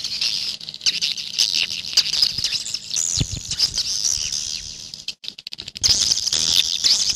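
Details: Swiftlets in a dense 'jaguar' style call recording: a continuous chorus of high, thin twittering chirps, overlapping and unbroken, with a brief quiet gap near the end before the chattering resumes.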